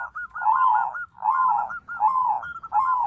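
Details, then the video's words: White zebra dove singing to spur other doves to sing: short staccato notes lead into longer warbling coos, with the phrase repeating about every second in a clear, steady series. "Suara Perkutut Putih Gacor PANDAI MEMANCING Bunyi, Menaikan Birahi Bikin Gacor Semua Jenis Perkutut"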